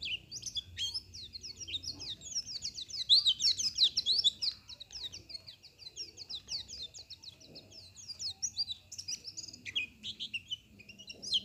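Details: White-eye song: a fast, continuous torrent of high, twittering and sharply slurred chirps, tumbling without pause over about eleven seconds, with a steady faint whine in the background.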